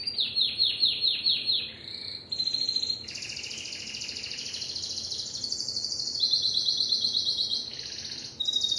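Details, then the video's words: Canary of the Timbrado breed singing a chain of trills: rapid falling notes, then sustained rolling tours that shift pitch step by step, with brief pauses between phrases. "تغريد كناري التمبرادو"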